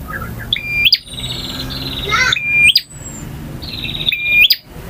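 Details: A singing male bar-winged prinia in the ngotot, ngalun and kristal styles gives rattling buzzy trills and clear whistles, each ending in a sharp upturn, in three phrases about 1.8 seconds apart.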